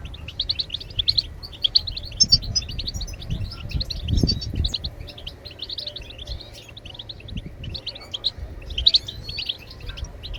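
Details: Sustained goldfinch song of the batbatat type, used to stimulate birds to sing: dense, continuous, high twittering with rolling trills and occasional sharp accents, low background rumble throughout.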